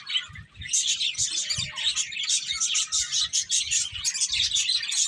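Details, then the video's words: Finches chirping while eating: a dense, overlapping chorus of short, high tweets from several birds, with soft low thumps underneath. "Cute Finches Chirping Sounds"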